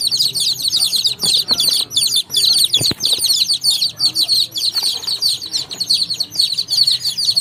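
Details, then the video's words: Baby chicks chirping on a farm: a dense, continuous chorus of high, short peeping notes overlapping rapidly, with faint low rustling and a few soft thumps underneath. "Adorable Baby Chicks Chirping Real Sound"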